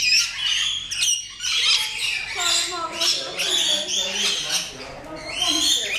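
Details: Rainbow lorikeets in noisy overlapping chatter, with shrill screeches and shorter squeaky notes tumbling over one another roughly every second and no clear pause.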